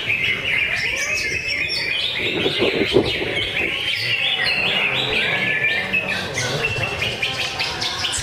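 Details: Competition greater green leafbird at a Friday practice singing contest, delivering a busy stream of sharp whistles and chips, with quick rising and falling notes amid a crowded chorus of other caged songbirds.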